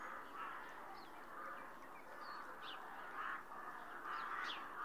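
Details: Rook giving a series of harsh, hoarse caws, each a broad raspy note, repeated roughly every second with brief gaps, recorded at a distance with faint higher chirps from other birds.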